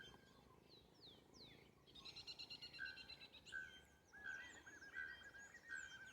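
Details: Bare-throated bellbirds singing in nature at São João do Triunfo, Paraná: short, ringing, metallic notes repeated roughly every 0.7 seconds in the second half, with thin high chirps and whistles of other birds throughout.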